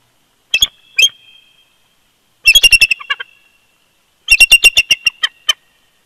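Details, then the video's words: A bald eagle pair duets in winter at the old nest snag at Big Bear Lake, California, 22 February 2020: two sharp yelps, then two fast runs of high, clipped chattering notes, about four a second, with silence between. "BB🦅Duet In Winter❄️"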